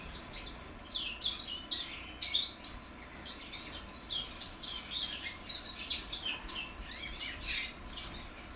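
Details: Goldfinch mules hatched in 2021 learning to sing, giving a steady run of high, rapid twittering notes and scratchy warbles with brief pauses between phrases.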